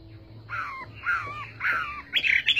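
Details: Chinese hwamei giving three drawn-out, down-slurred whistled notes, then a brighter burst of higher warbling notes.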